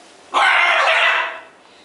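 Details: Scarlet macaw pair on a farm; a single harsh, raspy scream of about one second, broad and grating, rising abruptly and fading out slowly.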